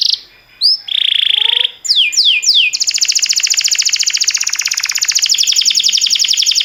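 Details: Canary song meant for training canaries: a few isolated whistled and nasal notes, three quick swooping notes, then a long, even, very rapid rattling trill.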